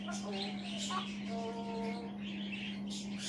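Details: Indoor African grey parrot, male, talking to himself from a chair: muffled speech-like babble with a short pure whistled note in the middle. A low mains-like hum is constant.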